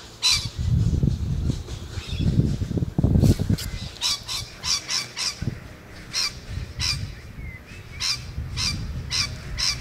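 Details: Rainbow lorikeet recorded on 11 November 2014, giving short shrill screeching calls in quick irregular bursts, sometimes paired, over a steady low rumble of background noise.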